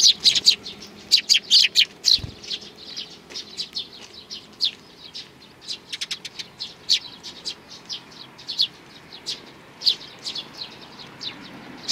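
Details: On 12 May 2019, three sparrow nestlings call loudly with rapid, sharp high chirps in dense clusters, thinning slightly toward the end, with one brief low thump early on.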